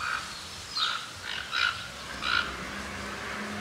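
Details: Toco toucan (Ramphastos toco) at Tupi Paulista, São Paulo, Brazil, gives four harsh, rasping croaks roughly every three-quarters of a second, with a faint low hum in the background.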